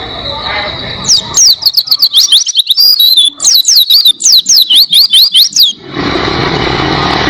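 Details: Oriental white-eye (pleci) singing energetically in a clear tutor recording for songbird training: about five seconds of fast, high, descending whistled notes in tight series, then the song stops and steady hissing noise takes over.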